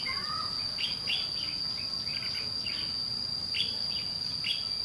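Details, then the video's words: Red-whiskered bulbul calling aggressively at a decoy during lure trapping: clusters of sharp, downward-sweeping chirps and brief chattering notes every half second or so, with a constant high-pitched whine behind. "Bẫy đấu chim chào mào má trắng ché nạt mồi"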